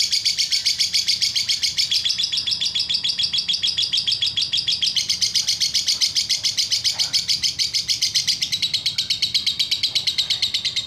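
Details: Lovebird chirping nonstop, a fast, even train of sharp, high notes that runs for the whole stretch, with a quiet room background.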